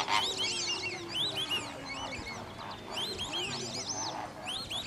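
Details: High, clear whistled calls of white-faced whistling ducks at WWT Slimbridge, arched notes in bursts with short pauses between them, and a faint low drone of other birds behind.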